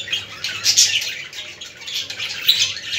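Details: Budgies chattering to stimulate other budgies: continuous high, raspy warbling with chirps and squeaks, steady throughout with small rises in loudness.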